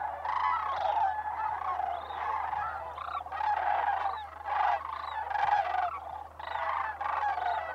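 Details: Sandhill cranes during December migration at Bosque del Apache Wildlife Refuge, New Mexico: loud rolling, trumpeting bugles in bursts about every second, many birds calling over one another, rising and fading in waves above a faint low hum.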